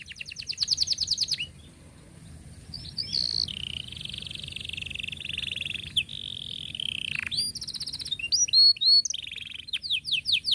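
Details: Canary performing long, close-rolled song as a model for juvenile canaries: rapid repeated chips, then extended buzzy rolls dropping in pitch, followed by whistled loops and a final burst of quick sweeping notes.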